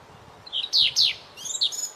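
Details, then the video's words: White-rumped shama singing for a training recording: a soft note, then two loud downslurred whistles in quick succession, followed by higher thin trilled phrases over a low background rumble. "MASTERAN MURAI BATU BURUNG KECIL"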